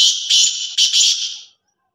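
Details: Black francolin, known locally as kala teetar, in Sindh, Pakistan: a loud harsh call of four rasping, hissy bursts run together over about one and a half seconds, then silence.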